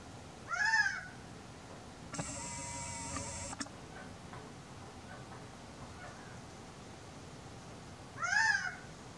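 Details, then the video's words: On a warm, sunny April afternoon, a male Gambel's quail gives two loud, nasal, cat-like calls about eight seconds apart, with a brief steady mechanical hum between them. "Gambel's quail call"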